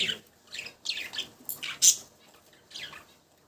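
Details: A budgie gives soft, scattered chirps and short squeaky notes with gaps between them, one louder sharp chirp standing out midway.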